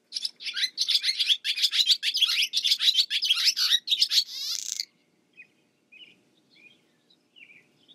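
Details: Barn swallow twittering rapidly, a dense chattering series of high chirps for about five seconds ending in a buzzy rattle, then scattered soft notes.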